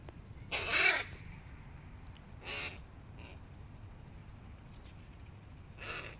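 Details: Hooded crows, young ones competing with adults, calling with a loud, raspy caw, followed by two shorter, softer hoarse caws spaced a couple of seconds apart, with quiet low background noise between.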